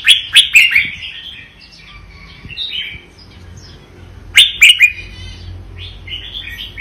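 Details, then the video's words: Vietnamese red-whiskered bulbul singing the doubled style: two loud bursts of sharp, clicking, chirpy notes about four seconds apart, each trailing into lighter, wavering warbles. "นกกรงหัวจุกเวียดนาม ร้องเบิ้ล!! ร้องมัน"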